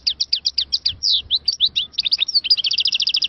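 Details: European goldfinch of the Algerian type, recorded in Moknine in 2022, sings a rapid, dense twittering run of high, bright notes, with quick chirps and buzzy trills tumbling over one another at several notes per second.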